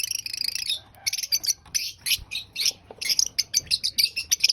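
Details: Lovebirds at breakfast while eating: dense, harsh high-pitched chirps and screeches in rapid bursts, a continuous chatter broken by short pauses, several birds calling at once.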